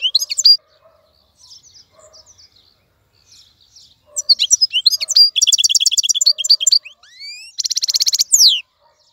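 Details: Wild-caught European goldfinch kept in a cage, tamed after capture, singing: scattered soft twitters at first, then a fast burst of bright tinkling notes, rattling buzzy trills and rising whistled slurs.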